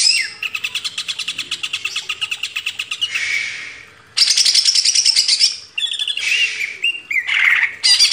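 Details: Greater green leafbird song as a master for training cage birds: a long run of evenly pulsed rapid notes, then dense buzzy trills and short varied chattering bursts.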